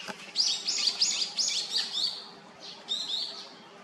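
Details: Great spotted woodpecker, parent and fledgling while raising young in Hyochang Park: a quick series of high, sharp chirps with downward sweeps, about five in a row, a pause, then two more, over faint background hum.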